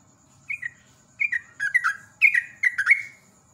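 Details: Trucukan, the yellow-vented bulbul, singing prolifically in ropel style as a training lure; short liquid whistles that dip downward, building into a quick chattering run of bubbly notes.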